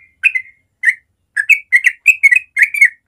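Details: Sooty-headed bulbul, natural morning sound in ropel style: fluty slurred whistles that start spaced, then quicken into a dense run of chattering two-note phrases.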